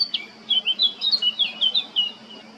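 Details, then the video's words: Male Eurasian blackcap at Baška on the island of Krk, Croatia, on 20 July 2022, singing a quick, varied warble of clear whistled and chattering notes, high-pitched and run together over about two seconds. "Crnokapa grmuša, mužjak (Sylvia atricapilla)(Birds of Croatia- Blackcap, male)"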